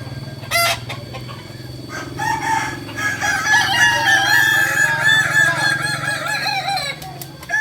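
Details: Kokok Balenggek roosters at a joint crowing practice in Amko, Solok city; overlapping long multi-note crows build from about two seconds and run on steadily, over a low steady hum and sharp knocking sounds.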